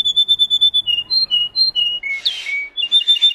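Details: Russian canary bred for singing, giving a quick series of repeated clear whistled notes that shift up and down in pitch, ending in a burst of rough, noisy chatter and a short trill.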